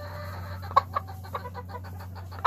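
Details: A gamefowl brood hen in a brood pen with her son gives a few short, soft clucks, irregular and about half a second apart, over a steady low mechanical hum.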